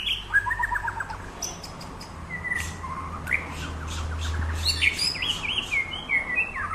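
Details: White-rumped shama in training at Samadua, singing varied phrases: short whistled slurs, quick chirps and rising notes in several pitches, with a steady low hum behind.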